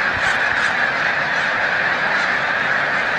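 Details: Brief take-off chorus of snow geese during peak migration at Montezuma, New York, 7 March 2022: dense overlapping high honks forming a continuous clamour, with a few sharper yelps at the start.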